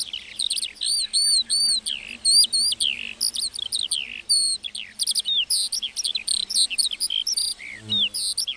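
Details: Singing lark in a meadow, delivering clipped bursts of high whistled and chirping notes in quick succession, steady and lively throughout, with a soft low bump near the end.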